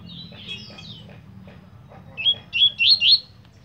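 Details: Double-collared seedeater (coleiro) described as a spirited 'fibra' bird: faint high chirps and thin notes, then a short burst of four loud, sharp, rising whistled notes near the end over a low steady background rumble.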